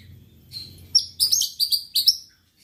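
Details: High, sharp chirps from a white-rumped shama, sung to provoke rival birds, given as a brief series of four or five ringing notes after a soft opening note.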